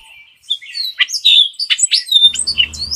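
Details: Hispaniolan oriole, a bird of Hispaniola between the Dominican Republic and Haiti, singing a rapid jumble of sharp whistled and chattering notes with steep up and down sweeps, followed by a steady whistle.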